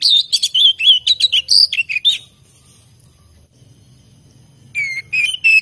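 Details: Kept oriental magpie-robin (kacer) singing energetically: rapid clear whistled notes and slurred phrases, a short silent pause, then further rising whistles resume.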